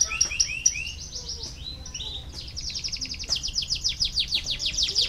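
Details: Canary song played to stimulate lazy canaries to sing; high sweeping notes followed by long rapid trills of repeated downslurred elements, growing louder toward the end.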